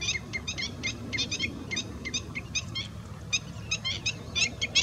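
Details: Common redshank calling: sharp, high piping notes given singly and in quick clusters of two or three, repeated steadily throughout over a low rumbling background.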